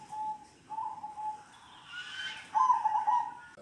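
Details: Local zebra dove giving kong-style song: soft level cooing notes, a brief rushing noise, then a loud rolling trilled coo at the end.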